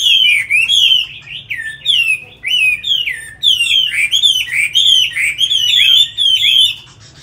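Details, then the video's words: Chinese hwamei, tamed and caged, Hanoi, Vietnam, pours out strong repeated whistled phrases with a looping, rising-falling shape, broken by short gaps, across about seven seconds. "Mi thuần cb6159 đẹp mau mỏ hót hay"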